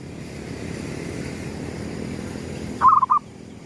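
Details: Zebra dove of a local strain, gedong mengo style lure song at sunrise; after nearly three seconds of steady low hum, one short phrase of three soft, rolling coos closes the clip.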